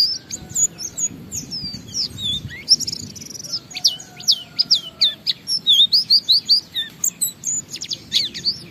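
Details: Oriental white-eye ngalas song meant to prompt other white-eyes to sing: varied high whistled notes and rising-falling slurs, building into a dense fast series of bright chirps in the second half.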